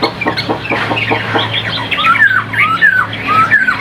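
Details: Caged Chinese hwamei kept in Vietnam, a bird praised for singing well: a stretch of soft clicks and rustling gives way to clear slurred whistles that rise and fall in short repeated phrases.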